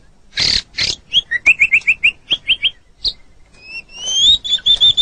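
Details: White-rumped shama song meant for training caged birds: two harsh bursts, then a fast series of short whistled chips, a pause, and long pure high whistles ending in repeated clear notes.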